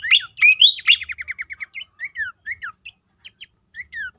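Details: Horsfield's babbler in a lure recording intended to spur birds to sing: loud opening warbles and a quick descending series of notes, then spaced pairs of downslurred whistles and short chirps with gaps of silence.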